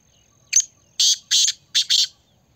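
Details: Black francolin calling in Pakistan; a short sharp opening note, then a harsh, grating phrase of four loud rasping syllables delivered in two quick pairs, with a thin steady high tone in the background.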